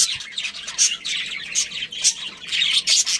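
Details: Chirping of a captive budgerigar breeding pair and their family: rapid bursts of high, scratchy warbles and sharp chirps, several short surges of chatter in quick succession, with no other clear sounds.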